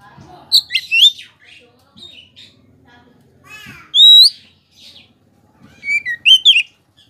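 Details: Oriental magpie-robin singing to goad other birds into answering: scattered sharp, high chirps and twitters, one loud sliding whistle midway, then a cluster of quick, bright notes near the end.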